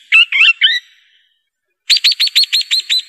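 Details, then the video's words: Swift parrot gives three quick, sharp, chattering notes, then after a pause a rapid run of seven bright, high, metallic piping calls. "SUARA SWIFT PARROT"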